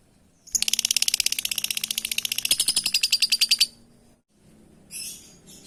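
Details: Lovebird calling to its companions: a fast, steady buzzy rattle of pulsed high notes lasting about three seconds, then a brief softer screechy call, over a faint low hum.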